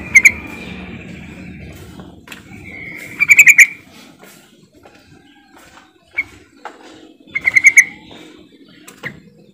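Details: Sooty-headed bulbul calls used as a lure to prompt silent birds into singing: short bursts of rapid, bright chattering notes repeat at irregular intervals, with faint clicks and low background noise between bursts.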